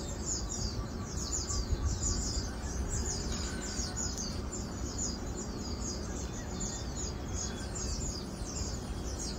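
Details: A flock of Asian glossy starlings (Aplonis panayensis), recorded 4 August 2022, keeps up a dense chatter of high, sharp, metallic chirps, overlapping without pause over a steady low rumble.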